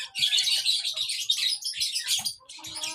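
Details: High, rapid twittering from a baby lovebird, broken into bursts of buzzy chirps with brief gaps. Soft low thumps or rustles sound beneath the calls.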